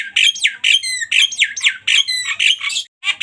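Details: Javan myna singing in full 'tembakan' style: rapid bursts of harsh squawks mixed with sharp whistled notes and sliding chirps, phrases repeated about twice a second with brief pauses, loud and close.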